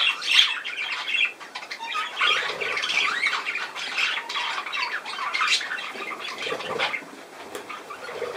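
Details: Budgerigar sounds: softer, looser chattering of warbled squeaks and scratchy notes, rising and falling in loudness.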